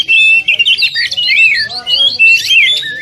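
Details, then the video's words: Oriental magpie-robin pouring out a continuous stream of loud, twisting whistles and chatter, a dense 'tembakan rapat' training song for caged birds. "Masteran Kacer Tembakan Rapat"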